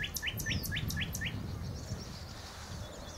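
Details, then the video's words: At the Horsmeertjes on Texel, a common nightingale gives six loud, evenly spaced rising whistled notes in just over a second, then fainter twittering over a strong low rumble. "Nachtegaal aan de Horsmeertjes op Texel"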